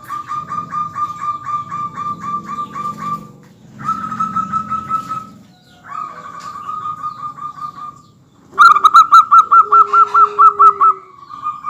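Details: Lively local zebra dove song recorded to make other doves join in: several bursts of fast, evenly spaced ringing notes separated by long steady tones, the last burst loudest, with a lower held note beneath it.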